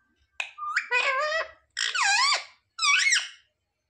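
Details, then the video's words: Talking parrot kept as a pet, imitating words like "mummy papa": three harmonic, speech-like utterances under a second each, with dipping then rising pitch contours, separated by short silences. "Parrot talking mithu mithu 😱Mummy papa bolne wala mitthu"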